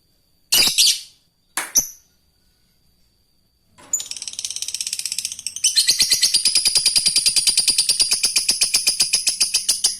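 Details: Fighter lovebird calling an opponent, then breaking into a long ngekek, used to train other lovebirds: two sharp high chirps, a pause, then a rapid, shrill chattering trill that builds and runs continuously for about six seconds.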